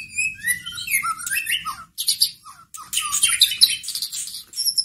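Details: Caged white-rumped shama, played to provoke a sluggish shama into answering: rapid varied song mixing descending whistled slurs, squawky harsh bursts and high chattering notes, with brief gaps between phrases over a soft low hum.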